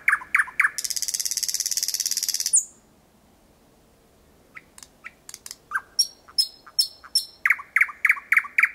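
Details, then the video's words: Thrush nightingale singing at night in Kiili parish on 8 May 2020 at 01:23, recorded from about 4 to 5 metres away. Loud clicking notes lead into a long dry rattle, then a pause, then scattered whistles and sharp repeated chook notes. "Ööbik väga lähedal laulmas"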